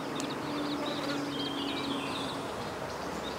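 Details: Adult little grebe with two chicks while feeding them fish: a rapid, high, chattering trill of short repeated notes rising and falling for about two seconds, partly masked by loud, steady rushing background noise.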